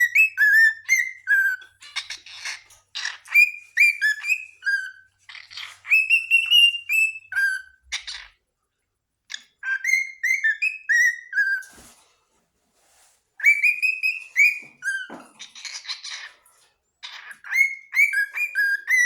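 A cockatiel gives bursts of bright, rising whistles and chirps with brief pauses between phrases.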